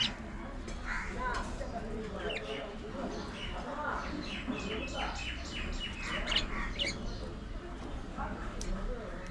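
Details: Budgerigars in an aviary colony chattering together: many short, high chirps and warbled notes overlapping, with steady low background rumble throughout.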